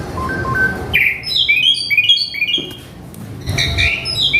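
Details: {'caption': 'Agitated male Asian pied starling singing a mimicked repertoire: short clear whistles, then a rapid cascade of high twittering notes. Another burst of chirps follows after a brief pause, over low background noise.'}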